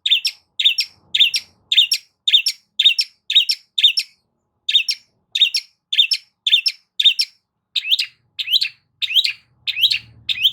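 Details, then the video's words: A long-tailed shrike sings to prompt another shrike to sing, with an even series of sharp, high, slightly buzzy notes roughly twice a second. The notes change shape toward the end, and there is a faint low hum. "CENDET MACET COBA PANCING DENGAR KICAU"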